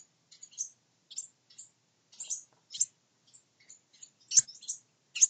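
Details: Wren nestlings in a nest a wren built in a honeybee box give soft, high, scratchy chirps in short, uneven bursts, about one a second, with quiet pauses between.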